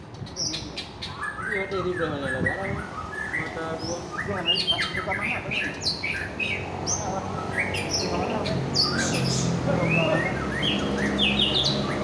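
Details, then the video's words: Aceh-type white-rumped shama, called a fighter in top form, pours out a dense, hurried stream of whistles, chattering notes and high sharp trills, with human speech and a low hum in the background. "Murai Aceh"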